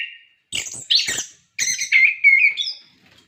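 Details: Orange-headed thrush, a captive songbird singing to prompt other caged birds to sing: a short whistled note, then scratchy bursts and a run of bright warbled phrases with sliding whistles.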